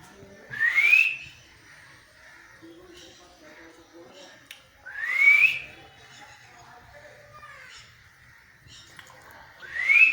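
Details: Parrot copying a cat's meow: three isolated rising whistled notes, roughly four to five seconds apart, over a faint background.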